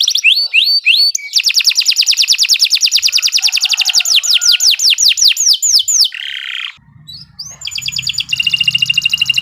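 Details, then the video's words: Canary in long, continuous song for training: falling whistles, then a long fast trill turning into sweeping downslurred notes, a buzzy phrase, a short pause, and a final bright rapid trill over faint hum. "Kicau Burung Kenari 114 II GACOR PANJANG Cocok untuk Masteran"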